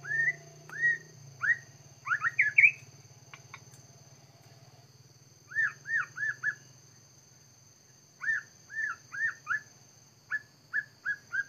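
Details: White-rumped shama at a bird trap, one caught within three minutes; clear whistled notes, mostly falling, given in quick bursts of three to five with short pauses, over a steady low electrical hum.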